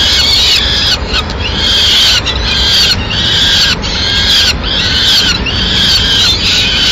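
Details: Peregrine falcon at a nest in Madrid on 6 May 2016, as the female brings a pigeon. Harsh, grating calls sit high in pitch and repeat about every second and a half over steady low wind or traffic rumble.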